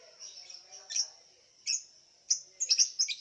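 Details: Lovebird competing in an online singing contest from Singkawang, West Kalimantan: thin high whistled notes and sharp squeaky chips, ending in a quick cluster of chirps.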